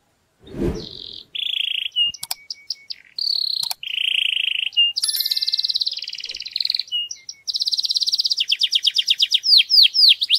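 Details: Loud male canary song played to prepare females for mating: a long varied run of rapid rolling trills, buzzy tours and sharp high whistles, closing with a fast series of repeated downslurred notes.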